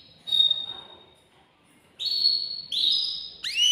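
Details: Caged male canary singing to prompt a female to mate: a clear steady whistle, a short pause, then two long bright whistled notes and a rising swept note.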